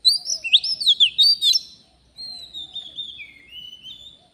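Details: Wild Oriental magpie-robin, recorded while birds were being lured for trapping. A fast jumble of sweet whistles and trills gives way to long, drawn-out descending whistled notes over a faint low background.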